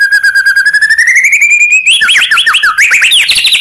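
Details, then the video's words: White-rumped shama song used to provoke other shamas: a long slowly rising buzzy trill lasting almost two seconds, breaking into a fast series of varied chirped and whistled notes. "burung murai cocok untuk masteran gacor isian banyak"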